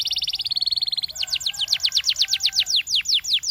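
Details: Belgian canary singing for canary training: a buzzy rapid rolling trill, then a series of sharp downward-sweeping whistled notes that gradually slow.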